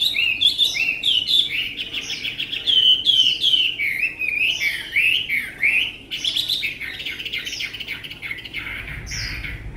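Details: A tame Chinese hwamei from Vietnam with an admired voice pours out nearly ten seconds of energetic, looping whistled phrases, rising and dipping repeatedly, loudest in the first half.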